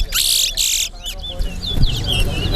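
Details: Towa towa (chestnut-bellied seed-finch) in a singing race at Alligator Pond: two strong buzzy high bursts at the start, then softer scattered whistled slurs while a man counts aloud and murmuring continues.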